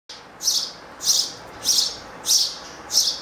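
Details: Three house sparrow chicks on a stand by their nest on a window grill give loud, high chirrups on seeing their father arrive to feed them, about every 0.65 seconds, five in a row, over faint hiss.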